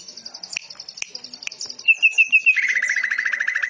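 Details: Greater green leafbird song in a canary-like style, with cililin and lovebird phrases delivered in a dense rapid burst: a high thin trill, sharp clicks, then a clear whistled phrase followed by fast buzzy notes repeated in quick succession.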